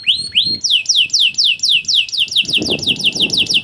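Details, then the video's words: Canary in a long cuit cuit style training recording meant to lure young canaries into singing: two rising whistles, then a fast run of sharp downslurred sweeps, about two per second, over faint low rumble. "Long Cuit Cuit Canary Masteran For Early Childhood Canary Baits to Sound Quickly || Voice of Canary"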